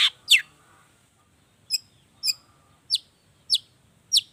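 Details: Long-tailed shrike (cendet) from a lure recording to encourage singing: two opening harsh slurred notes, then five short, high, sharp chips spaced about half a second apart, with faint low background noise.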